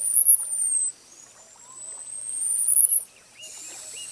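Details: Song of a Costa's hummingbird (Calypte costae): a high, thin descending whistle, then a long whistle climbing slowly to a shrill peak and dropping off, with faint low chirps in the background.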